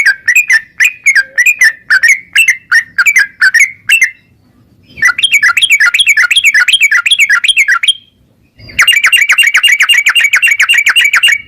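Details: Yellow-vented bulbul in gacor ropel singing, played to make bulbuls sing quickly: spaced chirpy notes, then two fast rolling trills of bubbling syllables separated by brief silences.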